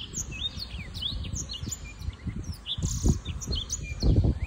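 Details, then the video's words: Young black-throated canary, six months old, singing: a rapid run of high, bright twittering notes and quick upward and downward whistled slides, with heavy low rumbling and thumping noise underneath. "Black-throated Canary (Crithagra atrogularis) singing"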